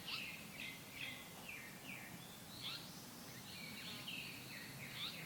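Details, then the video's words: Japanese paradise flycatcher singing: quick, high, down-slurred whistled notes ("hoit, hoit") repeated about once a second, then a buzzier run of notes, over a soft background hiss. "호잇~호잇~ 긴꼬리딱새의 노랫소리"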